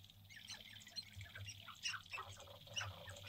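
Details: Males of the sharp-tailed grouse performing courtship display on a lek, central North Dakota, April 2021, shortly before sunrise; busy overlapping squawks, clucks and whining notes roughly once a second, with a low steady hum beneath.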